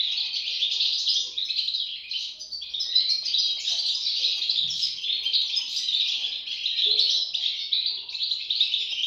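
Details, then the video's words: Young goldfinches chirp constantly in a high-pitched, busy twittering chorus with slight dips in loudness. A faint low knock sounds near the middle. "صوت فراخ طائر الحسون"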